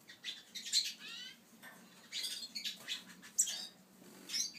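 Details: A pair of Yarrell's siskins: short bursts of high, thin twittering chirps spaced about a second apart, with soft rustling and fluttering noises between the phrases.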